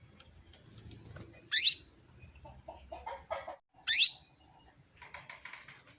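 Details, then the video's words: Female canary call meant to stir males into song: two loud, brief notes dropping steeply in pitch, about two seconds apart, among faint chirps and scratchy background noise. "PANCINGAN KENARI BETINA MEMANGGIL JANTAN"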